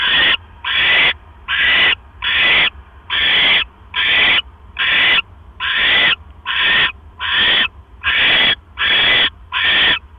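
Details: Barn owl nest, 1:09 AM on 12 October 2015, during the male's delivery of another mouse: a long, even run of about thirteen noisy, hoarse screeches, roughly one every 0.8 seconds.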